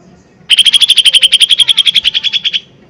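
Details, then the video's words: Lesser green leafbird used as a loud lure to trigger singing, giving one even, rapid trill of roughly twenty evenly spaced pulses lasting about two seconds. "Pancingan Cucak Ijo Mini Gacor Full POWER Tembakan keras Mancing Emosi"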